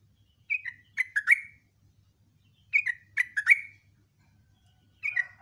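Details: Morning song of a sooty-headed bulbul, ngecruk and nembak style: two short phrases of four or five warbling, downward-slurred notes, spaced about two seconds apart, with the start of a third phrase at the end.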